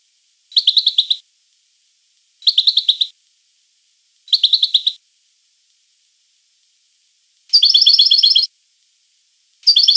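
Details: European goldfinch song: short, even trilled bursts repeated about every two seconds, followed by longer and louder buzzy trills near the end.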